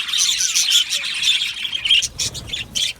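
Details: Aviary flock of Australian budgies singing and chirping, many birds overlapping in busy high chatter, with sharp scratchy notes bursting out every fraction of a second.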